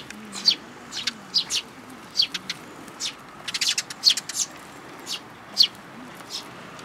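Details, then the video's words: Sparrows, including a newly arrived fledgling, at a feeder in a plum tree at a Tenmangu shrine on 21 June 2022. Bright, short, high chirps repeat irregularly, sometimes doubled, over quiet background with faint voices. "梅の木の餌場に来る雀達 新入り君の雛鳥"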